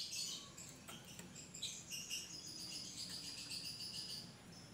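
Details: Cucak rante giving a shrill song used as a lure for other cucak rante: a high, rapid run of repeated chirps and whistles, with a steady insect-like hiss in the background.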